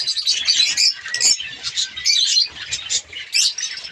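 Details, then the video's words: Colony of budgerigars kept for breeding in Pakistan during breeding season, a dense chorus of overlapping high chirps and warbles with loud bursts roughly every half second and brief quieter gaps. "australian parrots budgies ke birds colony"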